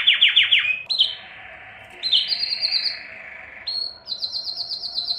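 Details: Belgian canary singing to stimulate females for breeding: fast trills of descending notes, then a long low rolling trill, followed by quick rising rattles and a bright repeated high trill.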